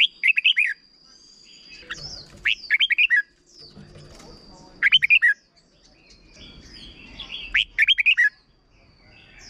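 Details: Short 'double' phrases from a red-whiskered bulbul, played to teach young birds: five rapid bursts of slurred, lively whistles mixed with a few harsher squawky notes, over a steady high-pitched whine and some low rustling.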